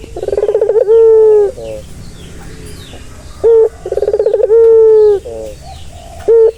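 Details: Two full turtle dove coos meant to relax a stressed bird, each a rapid rolling pulsed stretch leading into a long level low tone, with short single notes between.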